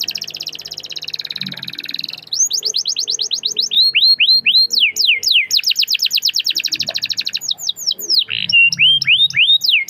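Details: Canary song meant to prompt other canaries to sing: opens with a wavering buzzy phrase, then long runs of quick falling whistled notes repeated in rhythmic bursts, with faint low thumps in the background.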